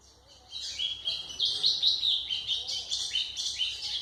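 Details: Golinha (white-throated seedeater) singing for tutoring captive young birds, pouring out rapid high chirps and short slurred whistles in a lively, unbroken warble, with a quiet low background hum.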